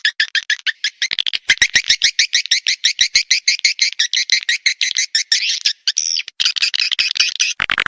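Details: Playback call meant to attract and call swiftlets to roost: steady rapid series of high chirps, about three per second, with sharp clicks, ending in a drawn-out buzzy note.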